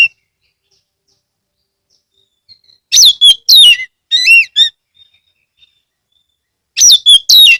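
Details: An Oriental magpie-robin from Ambal, Kebumen, Central Java, Indonesia, sings loudly to lure other magpie-robins into song. Short bursts of falling whistles and bouncing, looping chirps are separated by long quiet pauses, ending with two more sharp whistled phrases.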